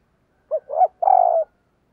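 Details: Decoy spotted dove cooing to call wild doves: one clean phrase of a short note, then a second note, then a longer, slightly falling mellow coo, with a quiet background.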